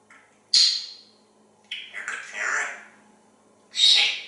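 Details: Talkative male African grey parrot kept as a pet in a Texas home, chattering while looking outside on a pretty day: three harsh, high-pitched bursts, a sharp squawk, a rasping mid phrase and a loud final screech.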